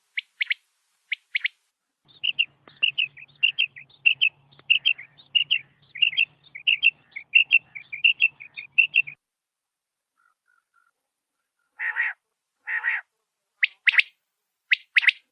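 Rain quail giving sharp, metallic paired notes, then a quick run of high chirps repeated about twice a second, with a faint low hum underneath.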